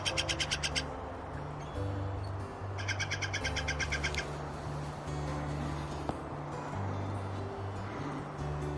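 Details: A Steller's jay calling from the top of a pine tree gives two bursts of rapid, harsh, grating notes, about ten per second, over a steady low hum; Redondo Campground, Valles Caldera, New Mexico, in fall.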